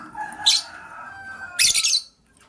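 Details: Lovebirds, one green and one blue, in the morning as the blue bird scrambles for vegetables; two harsh, high, buzzy screeches about a second apart over a faint steady low tone.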